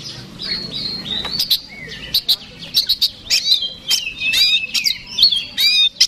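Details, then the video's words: Oriental magpie-robin in fighting song meant to goad a rival bird: a stretch of soft warbling, then bursts of sharp chips alternating with sweet slurred whistles and quick trills. "PANCINGAN KACER SUPER BOCOR NGOTOT TARUNG BIKIN LAWAN MBAGONG"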